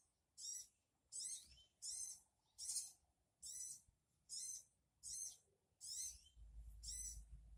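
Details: Sogon bird calls used to draw a wild sogon to answer: harsh, high, scratchy notes repeated steadily about every three quarters of a second, with a low rumble creeping in near the end.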